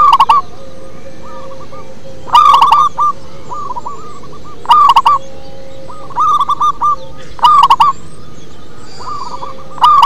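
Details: Singing local zebra dove with a deep, bass quality, delivering about four rolling phrases roughly every two and a half seconds, each a loud buzzy burst followed by softer hooked coos, over low steady hiss.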